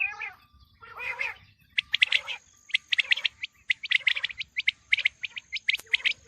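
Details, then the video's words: Quail sounds for the approaching wheat season: a few nasal, wavering notes, then rapid series of sharp clicking chirps repeated roughly once a second, with a faint steady high tone in the background. "Quail sounds for coming season | چیتری بلارا آنے والے گندم کے سیزن کے لیے بہت اچھی آواز"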